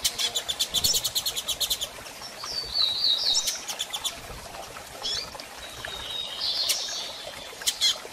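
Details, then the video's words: Female double-collared seedeater soliciting mating gives a fast rattling run of high chirps, then thin descending whistles and scattered single notes. "Fêmea de Coleiro Piando e Fogosa e Pedindo Gala!!"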